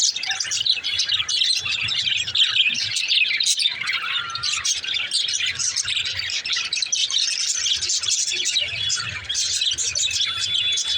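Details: Male green lovebirds chirping: dense, continuous high twittering and squeaky chatter from several birds, with occasional sharper squawks and a faint low rumble beneath.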